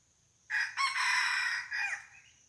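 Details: Red junglefowl decoy bird crowing to lure wild junglefowl at a spot where they came in the day before: one loud, harsh, broken crow, a stuttering opening then a long strained middle and a falling tail, over faint steady insect hum.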